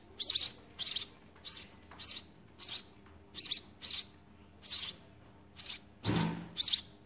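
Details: Nest of house sparrow babies begging while being fed, a run of shrill high chirp bursts roughly every half second, with a brief broadband thump or rustle near the end.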